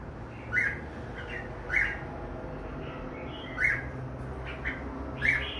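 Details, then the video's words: Red-whiskered bulbuls, two birds, repeating a short bright chirped note roughly every one to two seconds, with softer notes between and a steady low background drone. "Merbah jambul"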